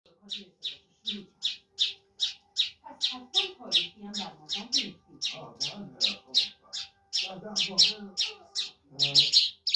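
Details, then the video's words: An Iranian/Afghan Mashhadi lark (lounda, jal type) sings a fast run of sharp, high chirps, two or three each second, with softer, lower twittering and indoor murmuring beneath it. "lounda larks irani afghani jal Singing"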